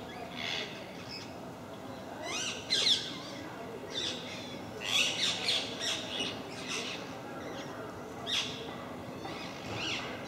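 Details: Visiting group of parakeets making a racket at MK park: many overlapping raspy squawks and short chattering notes, some louder screeches standing out amid the din.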